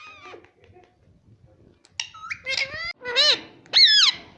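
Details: Ring-necked parakeet kept as a pet speaks a quick run of nasal syllables, rising and falling, ending in three louder arched words, with faint room noise beforehand.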